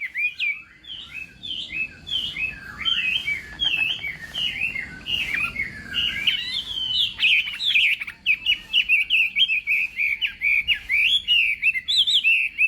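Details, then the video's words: Morning voice training of a Chinese hwamei in singing-contest style: rich, continuous melodious song of looping whistles and rapid warbled notes, speeding into dense trilled phrases in the second half. "Hoạ Mi Hót Đấu /hoạ mi hót sáng luyện giọng kich bổi sổ giọng chim hót hay mỗi ngày/"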